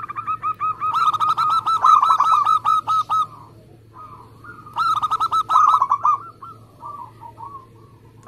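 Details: Local zebra dove in Indonesia singing steadily; bursts of rapid, bubbling coos repeated in quick runs of about two seconds, a softer dove answering between bursts, with a low steady hum underneath.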